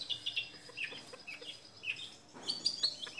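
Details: A young long-tailed shrike from Madura with a dominant, fast, tight-paced voice gives a scratchy, varied run of short chirps and thin whistled notes, high and uneven, with a brief burst of denser chatter near the end.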